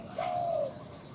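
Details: A captive spotted dove used as a decoy to attract wild doves gives a single long, smooth, slightly falling coo over a quiet background.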